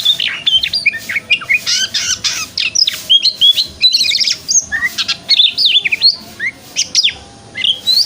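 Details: Continuous morning white-rumped shama song in the ngeplong style, used to stimulate a shama to open its tail, mixing whistled slurs, harsh chatters and fast varied phrases with barely a pause.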